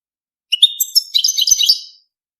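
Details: A single continuous phrase of goldfinch mating song: a thin rising whistle leading into a dense, liquid, tinkling twitter that runs for about one and a half seconds.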